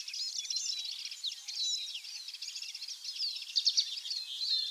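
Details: Common linnet (Carduelis cannabina) in a UK woodland sings a rapid, continuous twittering jumble of high, varied notes, with brief buzzy trills and soft background hiss.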